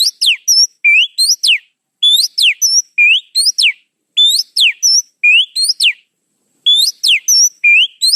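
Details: Oriental magpie-robin lure song built from repeated groups of steep, sweeping whistles, each group a quick run of rising and falling slurs with short pauses between them.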